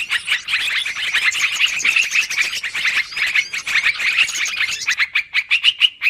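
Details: Noisy sooty-headed bulbul chorus played as a bird-trapping lure, busy twittering and chirping throughout, ending in a run of distinct, evenly spaced notes.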